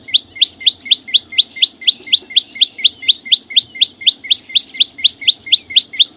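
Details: Singing green flowerpecker in a natural setting, delivering a long, steady string of bright, high, upward-flicked notes at about four per second, evenly timed, over faint background murmur.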